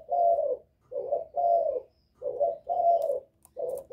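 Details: Spotted dove calling to provoke rival males, a Vietnamese 'giọng thổ' style of cooing: low hollow coos in paired phrases, a short note then a longer drawn-out one, repeated steadily with brief pauses, faint clicks near the end.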